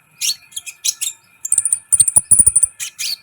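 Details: Sunbird song used as a training recording to excite other birds: rapid high chittering notes and thin sharp chips, then a fast run of high trilled whistles, with a faint steady background hum.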